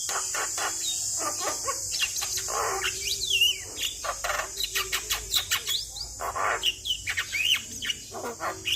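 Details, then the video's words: Javan myna in full, steady song, offered as a lure for a stressed myna: dense run of harsh chattering notes, clicks and short rising whistles, with a constant high hiss throughout. "Burung Jalak Stres Grabakan Coba rutin Kasi pancingan Suara Jalak Kebo Gacor"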